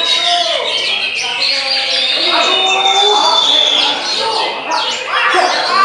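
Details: Oriental magpie-robin (kacer) singing a dense, rapid stream of varied chirps, whistles and trills that rise and fall continuously, with speech and crowd noise beneath.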